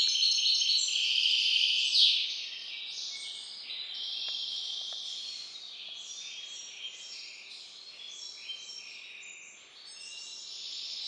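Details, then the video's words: A captive European goldfinch hybrid sings song variant IV, a fast, high run of tinkling twitters and buzzy trills with phrases tumbling together, over a faint background hiss. "Śpiew bastarda po szczygle"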